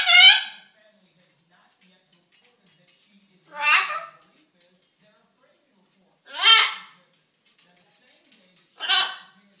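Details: Hungry pet macaw trying to get attention indoors. Four loud, raspy, speech-like utterances come about every three seconds, with quiet gaps and faint murmuring between them.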